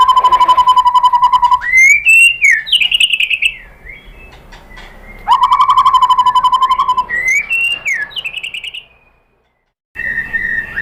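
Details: White-rumped shama lure song used to make another shama sing: long fast rattling trill on a steady pitch, then rising whistled flourishes, the trill pattern repeated, ending in silence and a short whistle.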